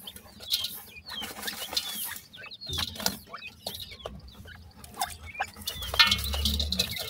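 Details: Several partridge chicks peeping rapidly, thin high slurred notes tumbling over one another, with bumps and low rumbling noise growing toward the end.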